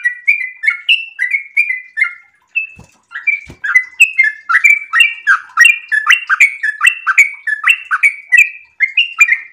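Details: Sooty-headed bulbul in breeding condition singing a long rapid song: steady whistled notes at first, a short break with two knocks, then a denser, faster burst of falling whistles.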